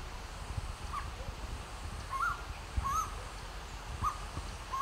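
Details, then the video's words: Himalayan striated laughingthrush vocalizing with puffed-out throat, giving clear, rising, slightly hooked whistles about once a second, quiet against soft background rumble and hiss. "Striated Laughing Thrush chirps and vocalizes by puffing out its throat"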